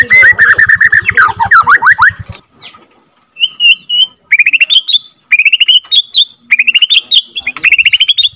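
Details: Captive-bred second-generation Borneo white-rumped shama, rolling out a long song meant to excite rival shamas. A dense run of sweeping trills gives way, after a short pause, to rapid series of rising whistled notes. A low pulsing drone sits under the opening.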